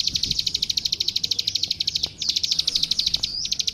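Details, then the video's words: Plain prinia (klik klik) master song for training young birds: quick series of bright, high ticking notes, a short break, then a slightly buzzier, tighter run of clicks. "Suara Masteran Burung Klik Klik Gacor"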